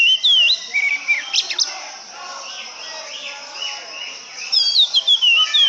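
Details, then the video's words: Oriental magpie-robin singing a bright whistled phrase, then a burst of scratchy chips. After a quieter stretch comes another run of descending whistles and quick sharp notes. "burung kacer idaman"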